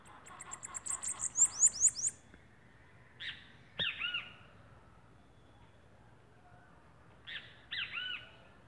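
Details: Bananaquit (sibite) from northeastern Brazil: a fast, accelerating run of very high, thin ticking notes ending in upslurred squeaks, then pairs of lower arched, slurred chirps after pauses, against quiet background.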